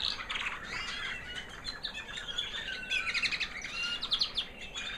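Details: After molting, a white proven American Singer canary hen from 2009 sings high and sweet: a fast buzzy trill opens, followed by warbled twittering and a quick run of bright repeated notes near the end.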